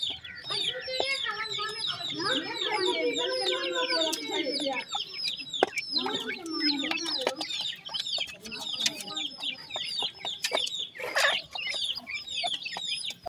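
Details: Grey francolin chicks, known locally as teetar, keep up a continuous chorus of thin, high, falling peeps, many birds at once, over lower warbling clucks and sharp intermittent clicks or knocks.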